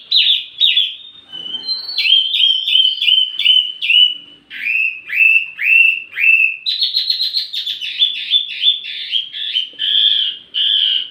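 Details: Wambi mini singing as a lure and master tutor for tledekan songbirds: bright whistled notes, then series of sharp downslurred chips repeated about twice a second, ending in rapid twittering runs of clear high notes.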